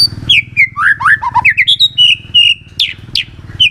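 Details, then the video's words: White-rumped shama singing to prompt other shamas to join: fast varied whistled notes swooping up and down, a long steady high whistle, then sharp upward flicks, with a low hum in the background. "murai batu gacor sangat cocok buat pancingan murai batu agar bunyi ikut NYAUT"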